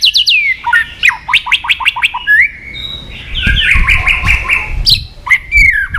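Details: White-rumped shama song for provoking aggression: a series of sharp descending whistled notes, then a buzzy, rattling stretch with low background rumble.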